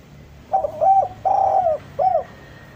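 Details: Spotted dove coo phrase used to lure doves down: two quick stuttered notes, a long level hoarse coo that falls at its end, and a short downturned closing note, all at a steady mid pitch.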